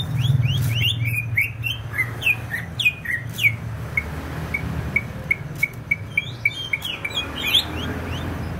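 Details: Singing greater green leafbird, Banyuwangi, East Java: varied swooping whistles give way to a regular string of short, clipped pips, then a final cluster of rising notes, with low rumbling noise underneath.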